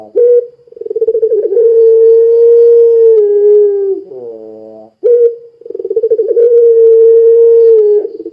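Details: Calling Barbary dove, puter pelung style, used to prompt other doves: two long drawn-out coos, each begun with a fluttering pulsed lead-in, split by a buzzy, reedy note and a short pause.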